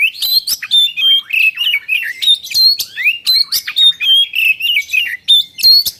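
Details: Oriental magpie-robin singing to stimulate untrained birds to sing: a rapid, dense stream of high chirps, slurred whistles and scratchy notes, several phrases per second with little pause.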